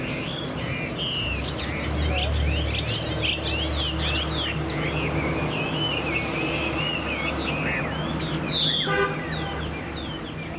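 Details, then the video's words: Caged Chinese hwamei kept as a songbird, described as a good singer and a fighter with spread tail; rich run of varied whistled, slurred phrases, rising and falling, delivered quickly and continuously over a low steady rumbling hum, ending with a brief buzzy burst. "Họa mi dáng ngũ trường, đấu xòe, hót tốt"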